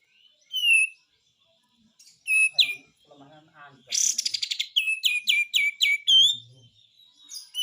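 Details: Triller, called kapas tembak, giving a gacor besetan song used for tutoring other birds: bright whistled notes, then a quick run of five or six sharp slurred notes near the end, with a brief harsh burst.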